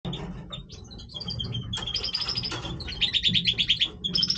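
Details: European goldfinch in breeding condition singing: rapid twittering, tinkling phrases with fast repeated buzzy trills high in pitch, mixed liquid notes, steady low hum underneath.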